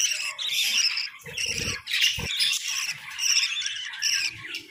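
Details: Budgerigars in a winter breeding setup chatter and warble in a dense, scratchy, high-pitched stream with short squawks, broken by low knocks and thumps around the middle of the recording.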